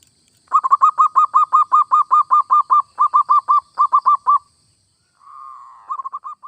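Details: Zebra dove (perkutut, local or Bangkok type) in full song, played to stimulate other doves to sing: a rapid run of about twenty mellow, cooing notes in steady rhythm, a brief pause, then one drawn-out coo and a few short notes.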